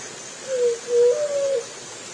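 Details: Low hooting song of a juriti dove, one phrase of three soft notes. It starts with a falling note, peaks in loudness on the middle note, and ends on a sustained level tone. A quiet hiss sits behind it.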